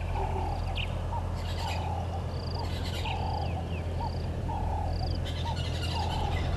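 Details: Red-billed hornbill at its nest tree by Gowrie dam, Djuma Game Reserve, Sabi Sand Wildtuin, South Africa, 30 January 2020, around 10:09 in the morning; short hollow clucking notes repeat about every second beside thin high whistles of other birds and a steady low rumble.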